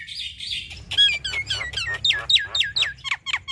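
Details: Male and female Javan mynas duetting: a buzzy opening, then a rapid train of squeaky downslurred whistles, about four a second.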